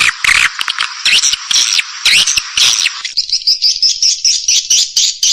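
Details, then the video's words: Call and roosting sound of swiftlets, used by farmers in Indonesia to bring birds in: busy overlapping high chattering, then a rapid series of thin high twitters. "SUARA PANGGIL DAN INAP BURUNG WALET RESPON TERBAIK"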